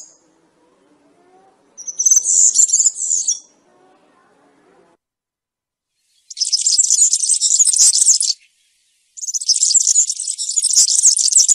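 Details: European serin song in the 'campero' country style, meant for tutoring juvenile serins during moult: a short high twitter followed by two long, rapid, buzzy, jangling phrases of high-pitched notes separated by brief silences.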